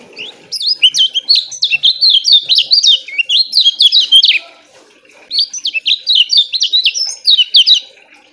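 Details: Loud, stable song of a lemon-bellied white-eye, kecial kuning, played to tutor caged birds: fast, tightly packed short phrases of high twittering and down-slurred whistles, two dense bursts of about four and three seconds separated by a brief silence.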